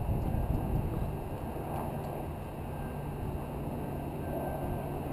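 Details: Steady low rumble of wind and distant traffic with a faint hum, with no animal calls.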